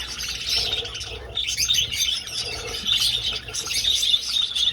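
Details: Budgerigars in an old aviary, many birds flying: bursts of bright, buzzy warbling chatter that dip briefly near the start, then swell again into a dense, busy chorus.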